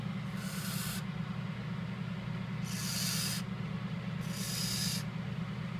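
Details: Young captive Indian scops owls, chicks hatched on 12 and 14 May 2014, give three rasping, noisy hisses, each under a second, spaced roughly every 1.7 seconds, above a constant low hum.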